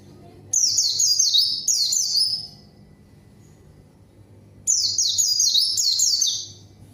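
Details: White-eye lure song challenging a rival and drawing untrained birds to respond: two back-to-back high cascading twitter bursts, a two-second silence, then two more quick bursts of down-slurred chirped notes.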